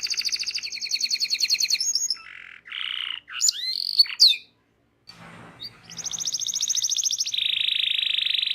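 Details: Local canary in full ngerol rolling song for bird training: long even rapid trills, then short nasal and swooping notes, a short silence, and a steady low buzzing roll to finish.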